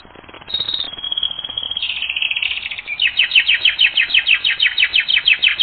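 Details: Canary singing in a training recording: sustained high whistled rolls that step up and down in pitch, then a long rhythmic series of rising chirps about three per second.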